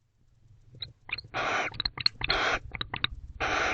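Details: Barn owl pair in a nest box at 3:28 am on 11/18/23, showing affection: three long, harsh, breathy hissing screeches, mixed with sharp clicking ticks and soft rustling between them.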